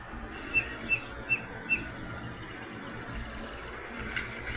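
Spotted Nothura giving four thin, high, evenly spaced peeping whistles about a third of a second apart, over a steady background hiss and low rumble.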